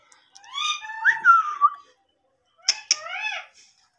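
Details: Indian ringneck parakeet, a talking parrot, gives a string of nasal speech-like syllables with a sweeping whistle, a short pause, then two sharp clicks and more rising mimicked syllables.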